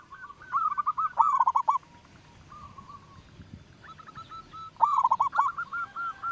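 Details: A local zebra dove sings as a lure for other birds: two quick trembling coo phrases, a quiet gap, then further rapid pulsed cooing with overlapping softer notes.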